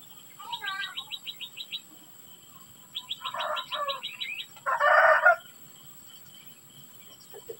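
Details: Society finch (white-rumped munia) during hatching activity: quick runs of high, dry ticking notes, then harsh, buzzy chattering bursts, loudest near the end, over a faint steady high hum.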